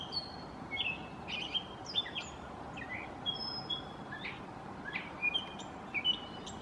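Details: A continuous medley of brief whistles, squeaks and clipped chips from a gray catbird imitating like a mockingbird, phrases changing every half second or so against a rumbling low background.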